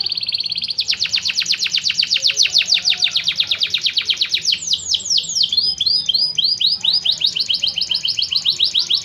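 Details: Canary song for training other birds: a short steady tone, then a long rapid trill of repeated notes, shifting into varied downslurred whistles and quick rolls.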